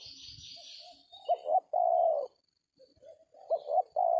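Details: Among oil palms where trappers set a decoy, a spotted dove (tekukur) gives clipped double notes and a long falling coo, then begins another phrase; brief hissing and low rumbling at the start.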